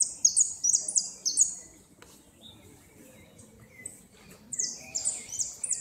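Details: Goldfinch in a 2016 northern-zone singing competition, placed second, repique song: a quick volley of high shrill notes, quieter thin whistles and a lower chirp, then the rapid high notes return.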